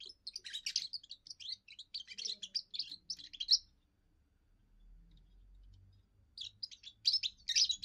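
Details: First song of a young European goldfinch, a territorial and courtship song: long run of fast liquid twittering, a gap with a low rumble, then another bright, buzzy twittering burst.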